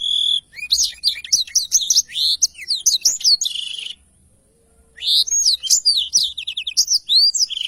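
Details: Black-throated canary singing its extended rolling song, captured clearly for teaching other songbirds: dense, fast high twitters and downslurred whistles for about four seconds, a one-second silence, then another lively rapid run.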